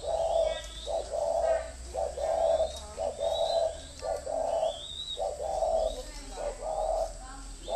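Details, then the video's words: Spotted dove kept as a decoy bird, cooing steadily in paired notes, a clipped coo then a longer mellow one, repeated roughly once a second, with faint high chirps from other birds. "Thổ mổ còi - Còi coi thường Thổ"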